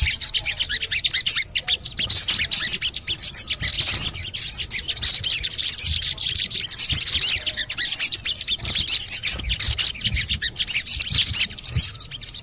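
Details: Long stretch of crimson sunbird chatter offered as a lure for silent birds: continuous busy high chirping and scratchy twitters swelling in waves every second or two, faint low background noise throughout.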